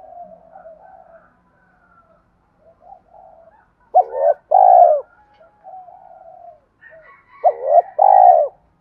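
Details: Spotted dove 'thúc' coo for stirring wild doves: quiet murmured cooing, then two strong phrases about three and a half seconds apart, each a clipped note and a full drawn-out coo.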